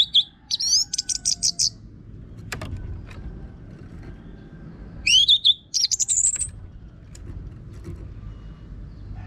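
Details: Orange-headed thrush singing energetically in a rough voice, used as a lure to get other birds singing: a fast twittering run of high chirps, then a rising whistled swoop into buzzy notes after a pause. Low background hum throughout.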